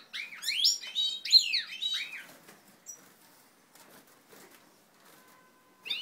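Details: European goldfinches of a native ancestral line forming pairs, 20 March 2012: a dense burst of tinkling, rising and falling chirps lasting about two seconds, then near silence before a brief new phrase begins.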